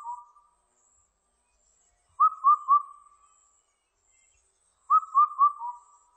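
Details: Indian cuckoo, recorded 2020: the tail of one phrase, then two full phrases of four mellow whistles, three matched notes dropping to a lower last one, repeated roughly every two and a half seconds in quiet surroundings.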